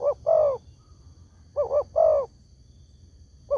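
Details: Spotted dove lure call to prompt answering doves: the tail of one phrase, then a full double coo and a long rolling coo, and the start of the next, with a faint constant high hum.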